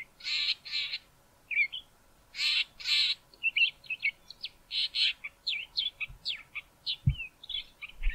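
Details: Male Southern fiscal singing near Grahamstown, harsh rasping notes giving way to a long sequence of softer, quick varied whistles and chirps.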